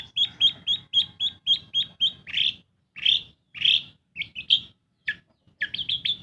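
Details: Long-tailed shrike, a pet bird in full song, used to lure silent birds into singing: a quick series of clipped high chips, then slower, harsher rasping notes spaced roughly half a second apart.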